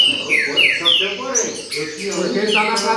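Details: Green-winged saltator song of the baderna type, with quick falling whistled slurs in a loose, irregular series of about three per second, over faint low chatter and clicks.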